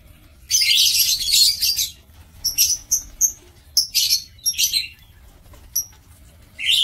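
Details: Aviary lovebirds at a breeding setup, October 2024: a long shrill chattering burst followed by short, sharp squeaks and chirps spaced irregularly over several seconds.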